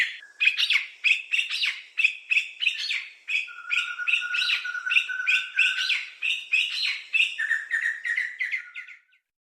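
Sri Lanka Spurfowl giving a rollicking, rapid run of high piping notes, about three per second, with rising phrases and a lower steady whistle midway.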